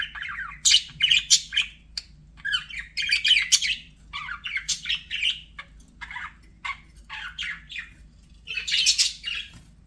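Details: Cheerful budgie chirping and warbling in clustered phrases of rising squeaks and raspy notes, pausing between groups, with a soft constant hum in the background.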